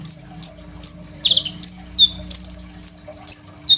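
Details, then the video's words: Crimson sunbird in full song, used as a master song for training young sunbirds, recorded on an Oppo A37f phone: sharp high chips and short buzzy descending notes, about two and a half per second, with a steady low hum. "KOLIBRI NINJA GACOR FULL ISIAN SUPER MEWAH, 100% COCOK BUAT MASTERAN KONIN BAHAN"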